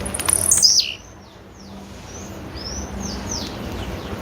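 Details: A female blue-black grassquit gives one high, sharply falling call with a buzzy end, then faint soft upslurred chirps from other birds continue over a quiet low hum.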